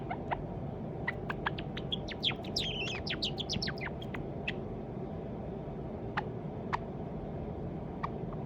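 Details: Young pet white Java sparrow, probably male, working on its song: a dense run of clicks and looping, warbled high notes in the first half, then scattered single sharp clicks over a steady low hum.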